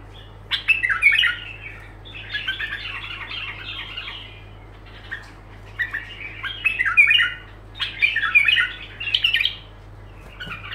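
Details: Bulbul singing continuous phrases without pause: bursts of warbled, chattering notes about a second or two long, with brief gaps between them, over a steady low electrical hum.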